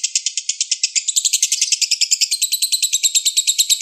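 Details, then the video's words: Young balibu lovebird sings as a master recording for training songbirds to imitate: a fast, steady stream of high, buzzy chirps that quickens slightly and brightens after the first second, with no other clear sounds. "MASTERAN LOVE BIRD BALIBU Terbaik Sangat Mudah Di tirukan"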